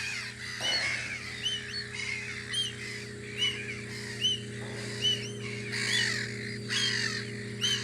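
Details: At Audru polder in spring, gulls at their guarding post give short arched cries repeated rapidly, roughly once a second, with several birds overlapping above a steady low mechanical drone.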